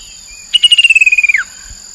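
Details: Chestnut-capped babbler lure call recorded on the Mekong riverbank, Nakhon Phanom, Thailand, 2021: a pulsed trill of about fourteen rapid notes, gently descending then dropping sharply at the end, over steady high insect-like whining.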